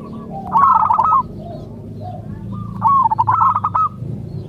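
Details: Local zebra dove (perkutut) singing, played to get other zebra doves to answer: two bursts of rapid, fluttering mid-pitched coos, each about half a second long, separated by a pause with a low background hum.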